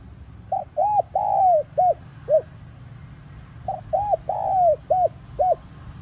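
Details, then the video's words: Spotted dove lure call: the five-note cooing phrase given twice about three seconds apart, each a soft lead note, a hooked coo, a long drawn coo and two short rounded coos, over a low hum. "Tiếng Cu Gáy Giọng Hạp BổI ĐỦ BÀI [GỌI BỔI] TỐT TIẾNG kích Bổi Nhanh Nổi.Mở lên là bổi gáy lại"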